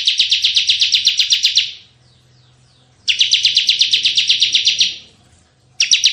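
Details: Bar-winged prinia singing hard in the tembakan style, recorded for luring and tutoring: repeated rapid buzzy trills about two seconds long, with gaps of about a second between bursts and faint low rumble.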